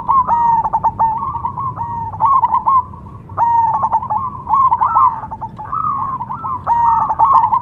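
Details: Zebra dove of the cemani variety (perkutut cemani) singing: bursts of rapid, bubbly cooing notes at a steady mid pitch, each phrase ending in a drawn-out coo, repeated about every two seconds over a low background hum.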